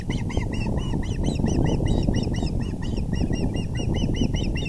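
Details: Osprey calling nonstop at the VGCC nest, April 6, 2020, 6:30 pm EDT, while the male delivers a big fish; a rapid, unbroken string of loud, shrill, slightly rising whistled chirps, several each second, over a rumbling background.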